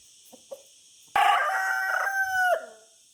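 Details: A rooster crows loudly for about a second and a half, rich in harmonics and holding a steady pitch before dropping at the end, with two soft clicks just before.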